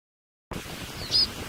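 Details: A White-winged snowfinch from a group at Coll de Pal in the Catalan Pyrenees in December 2017 gives a single short, high, thin call note against a steady hiss of wind or background noise.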